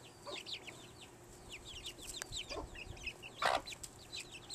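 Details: Many chicken chicks eating hard-boiled egg on a Morgan Hill, California ranch give constant shrill falling peeps, with scattered pecks and knocks and one louder rustling thump midway.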